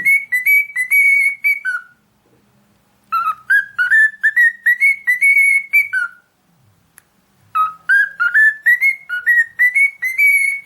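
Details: Cockatiel singing in three whistled phrases separated by silences of about a second, each phrase a quick series of clear notes that rise and level off.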